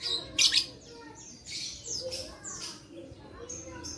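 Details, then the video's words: Shrill, piercing lovebird chattering, offered as a sound to trigger silent lovebirds into song. Harsh high squeaks come in irregular bursts throughout, loudest near the start, over a constant low background rumble. "Terapi Lovebird Malas Bunyi Cocok Untuk Memancing Bunyi Semua Love Bird"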